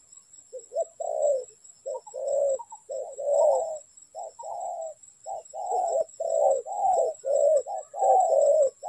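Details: Spotted dove during trapping, with dense low cooing, phrases running together and overlapping almost continuously, possibly more than one bird; a steady faint high electronic hum underlies the calls.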